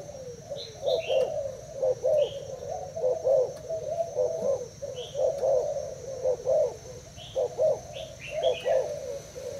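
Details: Thai-type spotted dove in a cage, cooing against a decoy bird; warm rounded coos come in repeated phrases of clustered notes over nearly ten seconds, while small birds chirp faintly higher up.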